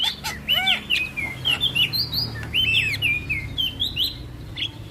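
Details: Black-winged myna training song to make a quiet bird sing: looping whistled phrases that arc up and down, interspersed with quick chirps, continuous and fairly loud over a low background hum.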